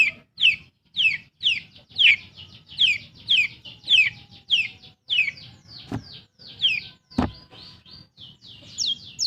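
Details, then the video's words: Long-tailed shrike, a kept bird, giving loud downslurred whistles repeated about twice a second, broken by two sharp clicks, then a run of higher chirps. "SUARA PENTET GACOR. BUAT PANCINGAN burung MANDEG BUNYi"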